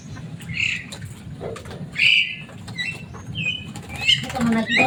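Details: Caged Javan myna, said to be loud and noisy and able to copy what people say, giving a jumble of short squawks, whistled slurs and clicks over a steady low hum.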